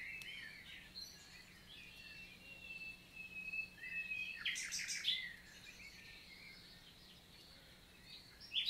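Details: Common nightingale singing on a summer morning, 11 June 2023, forest of the Célé valley, Lot, France: long drawn whistles and soft warbling, one loud burst of rattling notes mid-phrase, other birds quietly in the background.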